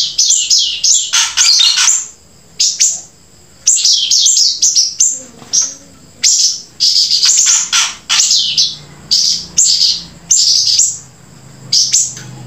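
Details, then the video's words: Grey-breasted prinia in sustained song: bursts of high, piercing, shrill notes with sharp downward onsets, grouped in fast runs separated by short pauses, with faint low background murmur. "flamboyan gacor sambung siri siri"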